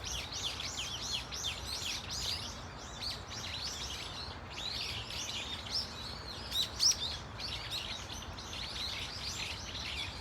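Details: Noisy Brown-eared Bulbul flock at Dunsan Grand Park: fast, crowded chatter of sharp high chirps, with a few louder piercing notes standing out near the middle.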